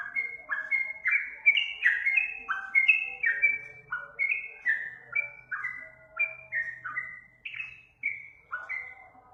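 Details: Yellow-vented bulbul song used to train other songbirds: a cheerful series of slurred whistles and chirpy descending notes, delivered in uneven bursts, with a faint low hum underneath in the middle.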